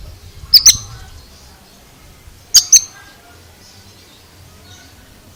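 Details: Oriental magpie-robin (kacer) making a strange sound: two sharp, high clicking notes close together, then a long quiet gap before another pair, ending with a single abrupt note.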